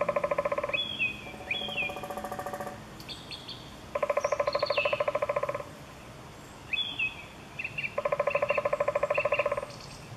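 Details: Eurasian three-toed woodpecker recorded in August 2013 at Chvalčov, Czech Republic, giving several bursts of fast, evenly spaced resonant pulses, each burst under two seconds long, amid frequent sharp upslurred chirps of other birds.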